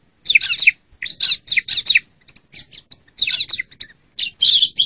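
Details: Bar-winged prinia female calling, a recording meant to lure silent males and wild birds; clusters of buzzy, squeaky high notes in uneven bursts, separated by brief pauses and a few thin single chips.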